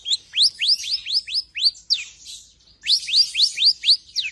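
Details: Long-tailed shrike, a tame bird in rich imitative song used as tutor for other birds: clear, steeply rising whistled notes repeated about four times a second in two runs, separated by a short pause, on a silent background.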